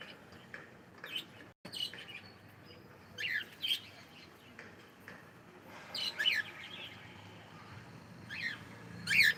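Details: Pet cockatiel, said to be saying good morning, giving sharp high chirps and short squeaky calls in loose clusters, a few seconds apart, over a quiet indoor hiss.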